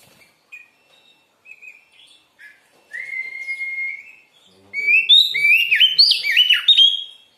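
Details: Kacer, the Oriental magpie-robin, singing for training and morning or evening therapy: soft short whistles, one long level whistled note, then a loud quick jumble of varied rising and falling whistles.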